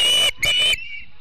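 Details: Montana osprey family at the Charlo nest on a September morning, wild birds on a live nest camera: two loud, high whistled squeals with a strong steady tone, then a fainter trailing whistle.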